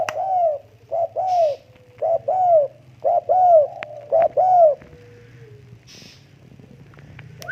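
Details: Tame spotted dove cooing in a steady series: paired low, rounded notes with a bowed pitch, repeated roughly once a second, then a pause with faint rustling.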